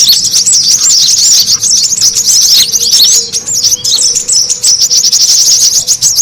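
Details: Brown-throated sunbird lure recording, noisy calling meant to gather birds: fast, high, scratchy twitters and bright chips in a dense, continuous jumble.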